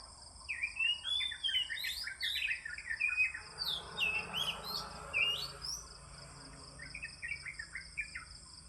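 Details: Morning song of an oriental magpie-robin, a rich run of whistled, warbled notes with rapid slurred swoops, then softer short phrases, over a constant high-pitched insect hum.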